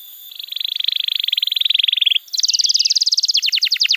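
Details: Tutor song for training young canaries to sing: a long, steady rolling trill lasting about two seconds, then a higher, faster rattling trill that breaks into a run of sharp descending notes.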